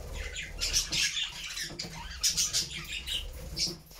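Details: Pet budgerigar flock in a new homemade cage, heard as clusters of sharp high chirps and short squeaky bursts separated by brief gaps, over a faint low background rumble.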